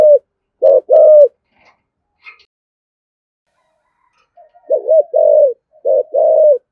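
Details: Spotted dove with a 'thổ' voice giving 'thúc gù' urging coos to provoke wild doves: two low, hollow coo phrases of a short double note then a longer falling note, separated by a pause with faint distant chirps.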